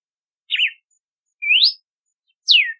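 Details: Three crisp whistled notes from a red-cowled cardinal (cardeal do nordeste): a wavering zigzag, a smooth rising slur, then a falling slur, each about a second apart.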